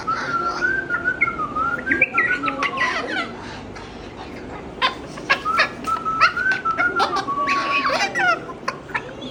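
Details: Pet Moluccan cockatoo whistling indoors: a wavering, clear whistled line rises and dips for about three seconds, then comes again after a pause, with clicks and knocks in between.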